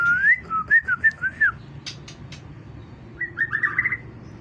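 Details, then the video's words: White-rumped shama in full song: rich fluting whistles swooping up and down in quick succession, a pause with a few sharp clicks, then a burst of bright overlapping whistled notes, low hum underneath. "murai prestasi salam kicau mania"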